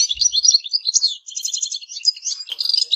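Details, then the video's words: High, jangling goldfinch twitter, a steady run of rapid chirps with a short break past the first second, then more trilled notes. "Goldfinches - amazing song"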